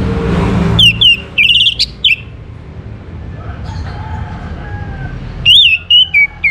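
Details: Bright, slurred whistles from an orange-headed thrush, sung to prompt other birds to sing, come in two bursts separated by a quieter stretch with soft, faint tones in between.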